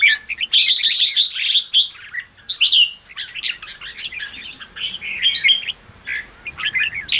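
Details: Red-whiskered bulbul song used to excite newly caught birds: a rapid stuttered run of bright chirps opens, then looser whistled and warbled phrases with brief gaps follow.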